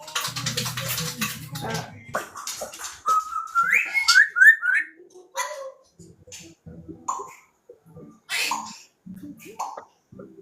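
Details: Pet African grey parrot whistling during a video call with another grey parrot: a run of clear, rising whistled notes, quick and slurred, with people talking and a short burst of music around it.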